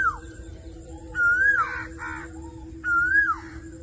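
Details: Green Indian ringneck parakeet calling: a clear whistled note that rises then drops, followed by two harsh, raspy squawks, then another rising-falling whistle; faint low hum in the background.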